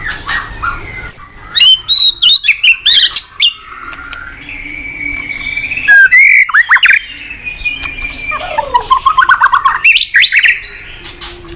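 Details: White-rumped shama in full song, a master recording for training untrained shamas: long sequences of staccato chips and fluty whistles, a swooping warbled phrase, then fast rising trills and harsh notes.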